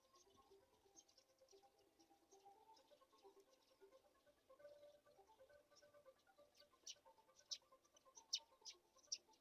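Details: Black-shouldered kite chicks being fed a mouse. Brief, harsh, high squeaks are scattered irregularly, becoming louder and denser toward the end, over steady low tonal hum lines.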